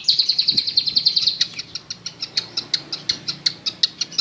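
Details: Long-tailed shrike used as a lure to get a silent shrike singing: a fast run of sharp, high chirps about eight per second, then spaced, clipped notes roughly three per second, with faint low background noise.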